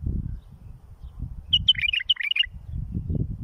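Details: Bulbul song meant to teach chicks. A clear, melodious burst of rapid whistled notes, some held and some dropping sharply, lasts under a second against a constant low rumbling hum.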